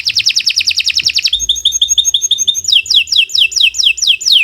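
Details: Canary of the Kenari Nusantara type, used as a master song for training: fast pulsing buzzy trill, then a rapid run of sharp two-tone notes, then repeated downward-curving whistles.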